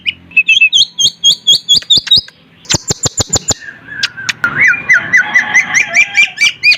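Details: A Sulawesi myna in full song: rapid rising chip notes, a burst of sharp clicks, then a long run of quick rising slurred whistles over loud rhythmic notes.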